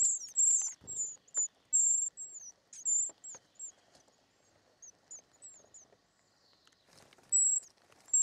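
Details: Short-toed treecreeper chicks in the nest at feeding time: a burst of high thin squeaks, sparser faint descending notes and quiet rustling, then a renewed squeal near the end.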